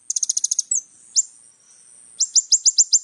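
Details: Little spiderhunter song with a quick burst of high chipping notes, a slurred whistle, then a series of downward-sweeping sharp notes repeated evenly; a constant thin high tone underlies the recording.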